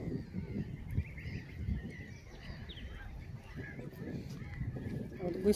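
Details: Goose family walking in a park: faint, repeated nasal honks drift through the background over low rumbling noise, with scattered soft calls and a louder burst at the very end.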